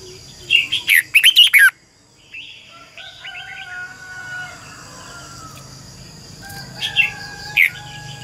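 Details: Decoy red-whiskered bulbul recorded singing one morning in 2020, used to train and stimulate other birds with its double-voiced song. It opens with a rapid, rich, warbling burst, followed by softer scattered chirps and faint later notes over a steady background hum.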